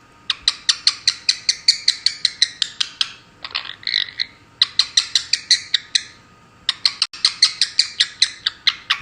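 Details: Pet female Indian ringneck parakeet making a frog-like noise, copying the conure it lives with: rapid rattling trains of harsh clicking pulses, about six per second, in three long runs separated by a brief raspy squawk.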